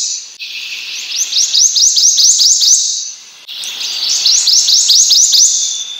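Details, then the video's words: A Prothonotary Warbler sings two ringing phrases of about eight sharp, upslurred 'sweet' notes, quick and even, over a steady high hiss. "Prothonotary Warbler Song."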